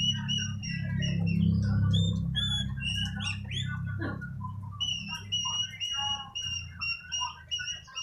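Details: Newly bought, kept oriental magpie-robin being trained, singing readily: clear whistled notes and quick chirps, repeated rapidly, over a steady low hum.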